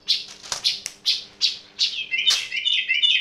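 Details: Yellow-vented bulbul, unusual sound: a few scratchy chirps followed by a wavering, trilled warble that runs to the end.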